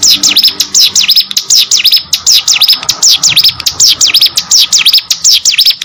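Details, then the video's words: Kept hill prinia in full gacor song: an unbroken stream of loud, high V-shaped buzzy notes, roughly four to five each second, steady throughout with little background. "burung ciblek gunung gacor"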